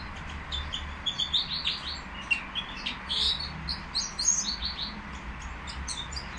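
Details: At a bird market, a nightingale sings a fast, varied run of high chirps, sweeps and trills, the notes tumbling over one another, above a low steady hum.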